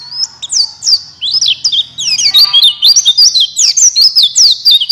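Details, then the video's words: High, rapid warbling of a buxtoni white-eye used as a song lure for other white-eyes: packed, sweeping slurred notes, faint low background hum. "Pancingan Pleci Cepat buka paruh Gacor Ngalas Bukpar"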